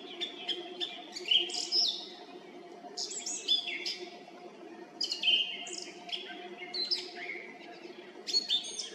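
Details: Song thrush singing at dusk atop a tree by the road to the Red Lakes in Zarechny, 18 April 2021; crisp, varied whistled phrases repeated in quick succession, some notes doubled, a faint steady hum beneath.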